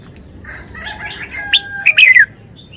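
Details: Red-whiskered bulbul singing wild-style song: soft warbling murmurs rise into a sharp note, then a loud, bright phrase of clipped chirps and a falling, liquid whistle.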